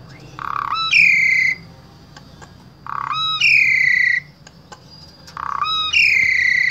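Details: Asian pied starling from Wonosobo, Central Java, Indonesia, singing as a vocal tutor for starlings: a repeated phrase, a low buzz jumping into a loud, harmonic, slightly falling whistle, given three times about every two and a half seconds.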